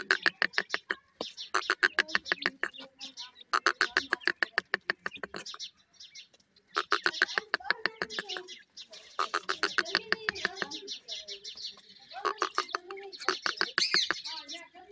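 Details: Newly hatched grey francolin (teetar) chicks, kept and feeding, give rapid harsh peeping notes in runs of about three per second, broken by short pauses, with faint background noise.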